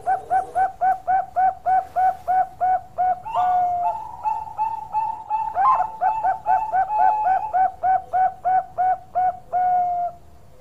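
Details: Bangkok-type zebra dove in vigorous song, prized by bird keepers: a long train of crisp, evenly spaced coo notes, about three per second, broken mid-way by a trilling, rolling stretch before the steady pulses resume.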